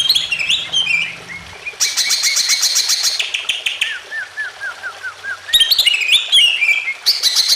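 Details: Greater green leafbird's emotional song used to set off other birds: varied high chirps, a harsh rapid chattering burst, a descending string of slurred whistles, then further loud chatter and warbling.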